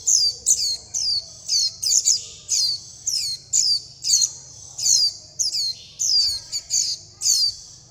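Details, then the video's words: Begging young Warbling white-eyes calling mother and flock: a busy run of around seventeen high, thin, falling chips, often doubled or tripled, given rapidly and unevenly over a quiet background. "Tiếng chim vành khuyên non gọi mẹ - gọi bầy - đòi ăn"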